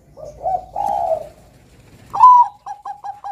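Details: Bangkok-type zebra dove, a caged singing bird kept as a bakalan lure: soft low coos lead into a loud rising note and a run of quick, evenly spaced short coos.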